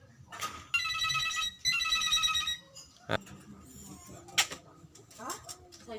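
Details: Captive Javan pied starling (jalak kebo) that mimics human speech, said to say words such as "jokowi", "mamake" and "ciwek"; two long buzzy, harmonic, voice-like phrases of about a second each, then scattered short clicks and a brief squeaky note.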